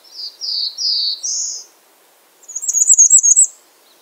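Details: Very high, thin notes from a bay-breasted warbler: four short slurred sibilant phrases, a pause, then a fast pulsing high-pitched trill of about eight notes, with a clean silent background.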